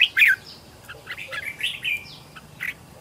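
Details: Decoy red-whiskered bulbul singing to lure wild birds: one loud slurred note, then fainter warbled phrases over background hiss.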